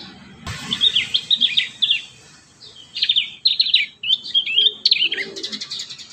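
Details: Prinia song used as a tutor recording to make young prinias sing often. Lively bursts of high, rapid chirps and slurred whistled notes come in short phrases separated by brief pauses.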